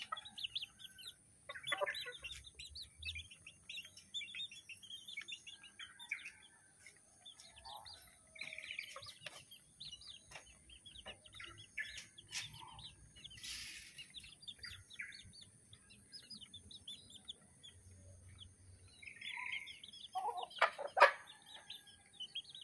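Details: Several colourful bantam chicken siblings giving soft, high, short chirping notes in quick irregular series, faint throughout, with a louder sharp burst near the end over a low background hum.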